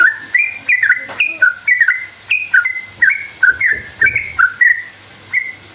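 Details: Sooty-headed bulbul song used as a lure to make other bulbuls answer: a long, lively run of short liquid whistled notes, each jumping between higher and lower pitches, delivered in quick steady succession.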